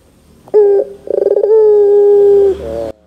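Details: A pelung Barbary dove calls to lure young doves: one short coo, a rapid throbbing series, then a drawn-out steady coo of more than a second and a softer trailing note.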